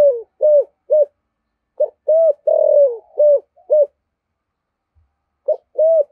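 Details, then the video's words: Spotted dove giving deep 'giọng thổ' coos: a quick string of short, arched, mellow notes, one longer rolling coo in the middle, a pause, then two more short coos. "Tiếng chim cu gáy giọng thổ thúc gù cực đỉnh"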